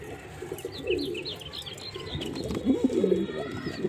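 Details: Male pigeon giving short low coos, quieter at first and stronger in the second half, mixed with a run of bright, high, rapid chirps from other small birds early on.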